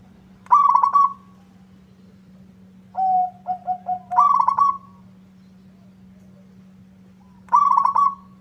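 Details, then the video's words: Local zebra dove singing back at a rival: the bubbling trilled phrase returns three times, about every three seconds, with a lower run of short coos between them. "Suara perkutut lokal gacor bikin nyaut lawan."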